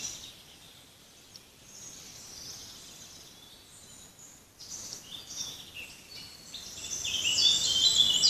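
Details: Forest birds singing: high, thin twittering and trills that build into a dense, bright chorus toward the end, with steady background noise.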